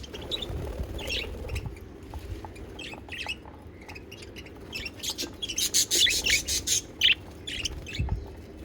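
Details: Pet budgerigars singing: a busy stream of short, high chirps and squeaky notes, with a louder run of rapid bright chirps toward the end over a low background rumble.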